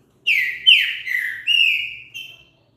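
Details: Green-winged saltator song, used to stimulate other birds to sing: a phrase of four rich whistled notes around mid-high pitch, the second sliding downward, the last a long even whistle, with a short note after.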